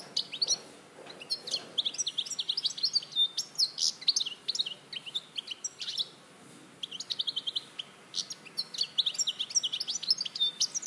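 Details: Larache, 2014: a European goldfinch delivers long bursts of rapid, tinkling twitters mixed with short trills, pausing briefly between phrases.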